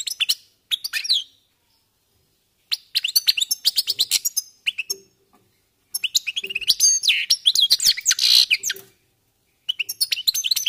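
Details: European goldfinches warming up, singing in separate bursts of quick liquid twitters and rattling trills, with silent gaps of one to two seconds between phrases.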